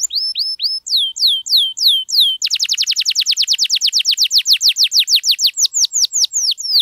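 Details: Long-running canary song meant to make quiet canaries respond: sweeping downward whistled notes, then a quicker roll of rising chirps that gradually slows into longer falling slurs.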